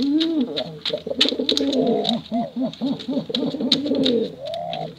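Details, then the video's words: Male and female pigeons cooing together, recorded for luring young birds; overlapping low rolling coos with rising and falling notes, many birds calling at once, faint higher chirps above. "Suara Bekuran Burung Merpati Lomba Hutan Dara Durasi Panjang"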